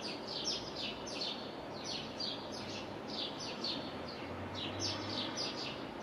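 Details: Great tit song recorded on 6 April: quick, high, bright notes repeated about twice a second in a steady, rhythmic series running throughout, against constant broadband background noise.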